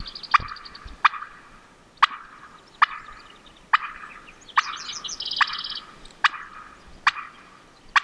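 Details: A wild Merriam's turkey hen crossing a road on Montana public land gives sharp, single clucks about once a second, with faint twittering from other birds in the background.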